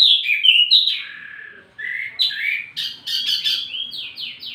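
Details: Wambi mini, recorded as tutor audio for tledekan birds: twisting whistled phrases, a drawn-out falling note, then separated bursts of sharp downslurred chips.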